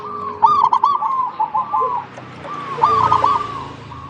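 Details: Local zebra dove singing, used as a lure to prompt other zebra doves to sing: mid-pitched cooing phrases of rolling, bubbling notes, two phrases separated by a pause, with a faint higher chirp above.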